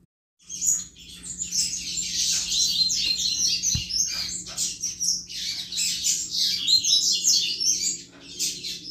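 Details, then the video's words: Double-collared seedeater singing the chuva song style, used to stimulate other males: a dense, continuous stream of high, scratchy, buzzy chirps and rapid twitters with hardly any pause, over a steady low electrical hum. "Canto Chuva de Coleiro Top Para Esquentar Qualquer Coleiro!!!"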